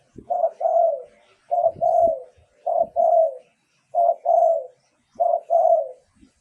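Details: Luring song of a spotted dove, repeated five times at an even pace: a short coo then a longer, fuller coo falling at its tail. Low knocks and taps underneath.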